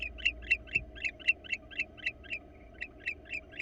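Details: Wild barn owl pair visiting a nest box in Florida, recorded by a live nest cam. Short chirpy notes repeat about four times a second, with a brief pause midway. A steady low hum sits underneath.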